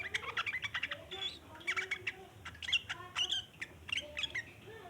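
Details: Long chattering of a sooty-headed bulbul, meant to lure other bulbuls: bursts of quick squeaky and harsh chirps, scattered sharp high notes, with brief pauses between busy runs and faint lower warbles beneath.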